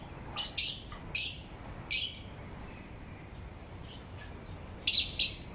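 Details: Parrot singing while grinding its beak: a handful of brief, high, squeaky chirps in small clusters, with a pause of nearly three seconds before a final pair.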